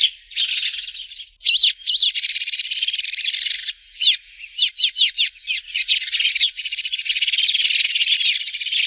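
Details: Sparrow calls heard as dense, high chirping with quick looping notes and bursts of rapid twitters, almost unbroken throughout.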